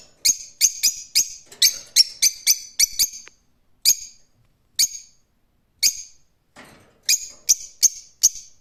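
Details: Rose-ringed parakeet starting with a fast run of about ten harsh, screechy calls, then continuing with single shrieks spaced about a second apart and a final quick cluster.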